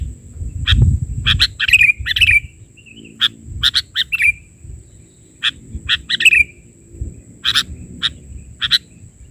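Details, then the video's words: Sooty-headed bulbul (kutilang) in gacor form, bahari-version isian: rapid runs of sharp chirps and brief rolling warbles, closely spaced, with low thumps and rumble in the background. "Suara isian...burung kutilang gacor versi bahari"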